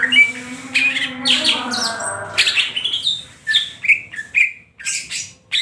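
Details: Singing nonstop in ngentrok style, a greater green leafbird with crest up and tail fanned produces quick high twitters and whistled flicks separated by short pauses.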